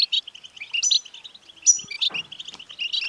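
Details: Short burst of European goldfinch btbta, used to stimulate a singing male. Quick, metallic twitters and ringing high notes come in rapid succession, with a soft rustle just after two seconds.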